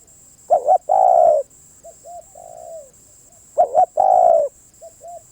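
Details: Spotted dove cooing in two phrases. Each has a sharp double note and a long, rich coo, then softer paired notes and a subdued falling coo. A steady high whine sits behind.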